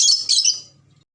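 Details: Brief two-part grating screech from a red lory from Ambon, loud and high, fading out quickly.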